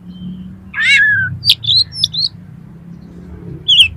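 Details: Oriental magpie-robin song used to train competition birds: a slurred whistle falling near 1 s, then short high chirps and a bright twittered phrase near 3.7 s, with pauses between and faint low hum underneath.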